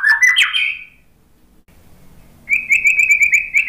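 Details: Murai batu (white-rumped shama) lure song aimed at birds gone quiet after moulting: a short burst of slurred whistles, a pause, then a quick even series of repeated clear whistled notes.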